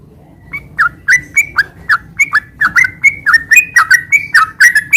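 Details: Ngeropel 'gacor' song of a sooty-headed bulbul, meant to coax moulting birds back into song: starts softly, then a brisk, evenly spaced run of chirpy, slurred notes building in loudness, over a faint low background murmur.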